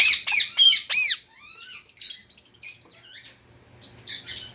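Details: Pet Indian ringneck parakeet giving four fast, ringing screeches, then softer, scratchy chattering notes that trail off, with a final brief squawk.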